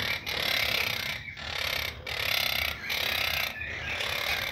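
A quaker parrot gives harsh, raspy bursts of chatter separated by brief pauses.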